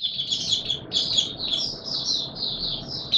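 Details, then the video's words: White-eye recorded 20 March 2022 in warm humid weather, producing a flowing series of high twittering notes in short waves, somewhat muffled by steady low background noise. "Mata Puteh Raja Video 1 buka sing"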